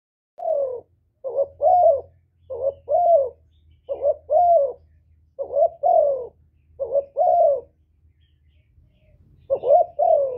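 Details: Spotted dove calling continuously to lure other doves: about seven paired coos in ten seconds, each a short rising note then a longer falling one, mid-low pitched, over a faint low hum.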